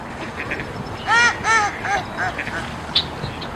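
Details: A mallard gives a short series of four or five harsh, nasal quacks about half a second apart, fading toward the end, over faint background noise; Mallard quack.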